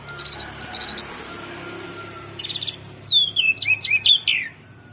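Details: Orange-headed thrush song: quick, high, rhythmic chips, a soft, buzzy note, then loud, sliding, whistled phrases that swoop up and down.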